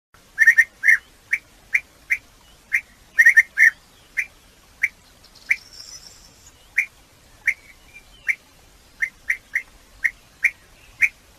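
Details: European bee-eater giving short, liquid rolling notes repeated roughly every half second to second, some in quick doubled bursts, with a soft faint hiss partway through.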